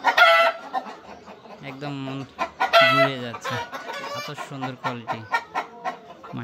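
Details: Super hybrid laying hens on an egg farm, nest boxes full of eggs: loud harsh squawks, then drawn-out nasal clucks and a series of shorter rhythmic clucks.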